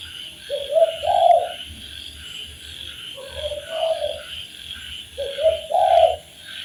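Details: Spotted dove cooing meant for training birds: three low, soft multi-note coo phrases about two seconds apart, set against a persistent shrill insect-like drone.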